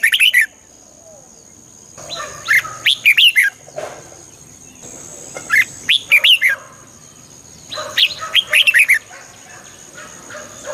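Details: Red-whiskered bulbul song meant to rouse listening birds; lively phrases of four or five rapid, bubbling whistled notes, repeated every few seconds, with a faint steady high hum behind.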